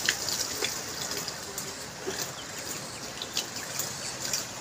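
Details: Steady trickling and gushing water with soft background murmur and a few faint clicks; no animal calls stand out.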